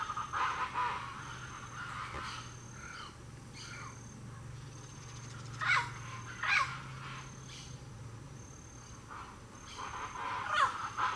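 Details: Pale-crested woodpecker at Fazenda San Francisco, Miranda and Terenos, Mato Grosso do Sul, Brazil, giving harsh, raspy call bursts at irregular intervals, with a steady high-pitched insect-like tone and a low rural hum behind.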